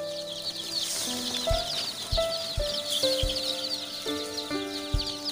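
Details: Local chicken chicks at a farm in Khoirabari, Udalguri district, Assam: many chicks peeping in a dense, high, rapid chorus throughout, over background music with sustained tones and soft beats.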